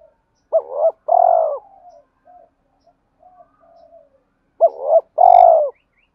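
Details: Spotted dove; fighting call; provoking rival males to fight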